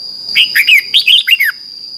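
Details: One morning song phrase of a Red-whiskered bulbul, from competitive singing used to train birds: about six quick, clear, swooping whistled notes in a second and a half, over a steady high hum.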